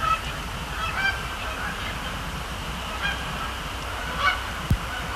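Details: Canada geese at night on 26 October 2017, a Thursday, at Sapsucker Woods Pond, Cornell Lab of Ornithology, flying over and splashing down; scattered short nasal honks, about four across the stretch, over a steady low rumble with one sharp thump.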